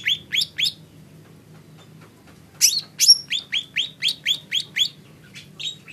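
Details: Lesser green leafbird song: three sharp downslurred high notes, a pause of nearly two seconds, then a steady series of similar notes, about four per second, fading at the end.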